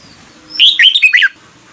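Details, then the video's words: Red-whiskered bulbul in morning song, one brief phrase of four or five fluty, slurred notes that swoop between high and mid pitch, with a low steady hum underneath. "Luyện chào mào hót sáng, QUÁ HAY - CHÉ KÍCH BỔI CĂNG ĐÉT"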